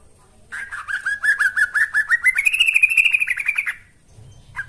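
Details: Yellow-vented bulbul lure song for training birds: a rapid run of short bubbly notes that climbs in pitch midway, then holds steady before stopping, with a brief final note after a pause.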